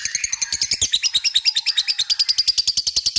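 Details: Lovebird ngekek chatter, aimed at drawing a response from other lovebirds: a short burst of rapid, high, rasping pulses, repeated quickly and evenly.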